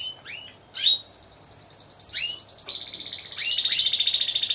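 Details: Timbrado Español canaries singing at a judged singing competition and show in November 2015, category C1 teams of four; high rattling trills, sharp rising notes and a steady metallic rolled phrase near the end.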